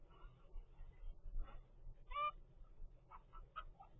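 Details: Captive-bred zebra finch young at 25 days, from its parents' first clutch; a few brief nasal calls, one clearer drawn-out honking note followed by a quick cluster of three short calls, above a low background hum.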